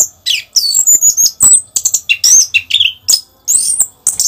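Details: A caged orange-headed thrush sings a fast, varied run of high whistles, sharp chirps and buzzy notes in short bursts, with little else heard.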